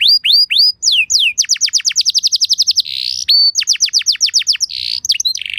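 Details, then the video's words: Canary song used as a lure to get other canaries to respond: curved chirps, then a fast run of falling notes, a buzzy burst, more rapid trilling and a rough rattle at the close. "Bakal Langsung Nyaut Burung Kenari Kondisi Apa Saja Dengan Pancingan Kenari Lagu Mewah Ini"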